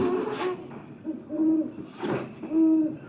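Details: Recording of a great horned owl played back in a room during a talk on Iowa's owls: deep, soft, low-pitched hoots roughly a second apart, a call of five hoots, with a little background noise.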